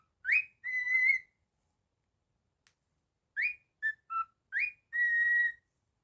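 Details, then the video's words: Pet cockatiel whistling a learned tune indoors: clear rising notes then a long steady whistle, a pause, and the phrase repeated with short lower notes between, bright and pure-toned. "A super talented cockatiel"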